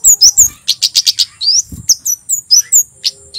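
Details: Loud male white-bellied sunbird song from Java, used as a lure so birds start singing: continuous high chirps, down-slurred whistles and a fast rattle of short notes, evenly spaced and bright.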